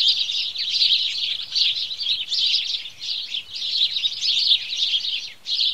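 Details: A morning chorus of house sparrows fills the recording with dense, high chirping from many birds, pulsing in louder bursts with short dips near the end.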